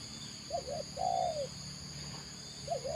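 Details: Spotted dove, the tekukur of Indonesia, heard faintly over a steady hiss: two short hooked coos and a longer falling coo, with the start of another phrase at the end.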